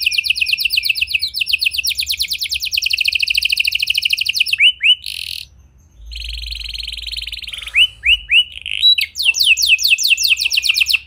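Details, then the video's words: A lively canary with distinctive song phrasing, meant to stimulate silent canaries to sing. Long rapid high trills change pace several times. A brief dip brings a steady buzzy tone, then clipped sweeps and renewed fast trilling. "Buat Kenari Macet Anda Respon Dengan Suara Pancingan Kenari Gacor Ini! Kenari Gacor Cengkok Unik"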